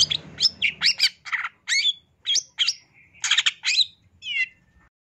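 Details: Masteran recording of long-tailed shrike song, full of 'isian' fill: sharp high chips and twangy notes in small clusters, a soft trilled element mid-way, ending on a wavering buzzy whistle.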